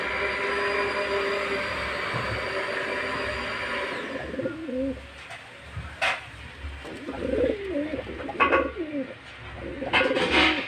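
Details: Low gurgling pigeon coos, from two females fighting over a single male, start once a loud mechanical drone fades after about four seconds. Several coos rise and fall, with sharp clicks or flaps in between.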